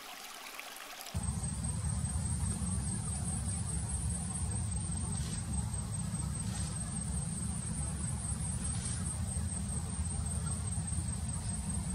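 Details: Steady low rumbling noise, like a running engine or rushing water, with a thin constant high whine and no animal calls.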